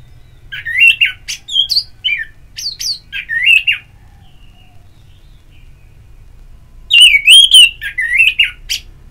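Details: Orange-headed thrush in therapy audio meant to stimulate singing: varied whistled phrases, rising and falling, in short bursts over about four seconds, a pause, then louder warbling phrases, with a low steady hum underneath.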